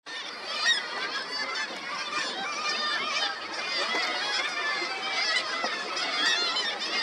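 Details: A dense chorus of black-legged kittiwakes at a breeding colony on seafront buildings in Ålesund, Møre og Romsdal, Norway, on 16 July 2024: many harsh, nasal, overlapping calls rising and falling without pause.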